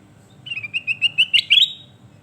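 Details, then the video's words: Lively kutilang emas (sooty-headed bulbul) song used as a training tutor: a string of short whistled notes quickening and rising, closing with two loud, slightly harsh flourishes. "Masteran Mewah Burung Kutilang Emas Mantap"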